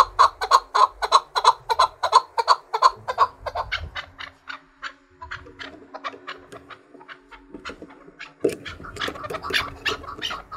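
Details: Caged Chukar partridge, trained to fight and sing against other partridges, calls a loud rhythmic chuk series for several seconds, then scattered quieter notes, ending with a harsh noisy burst.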